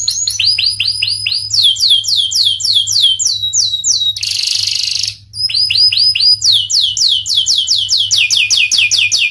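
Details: Canary with panda plumage singing long runs of repeated descending sweeps, interrupted midway by a harsh broadband rasping burst about a second long, then resuming the rapid sweeping phrases.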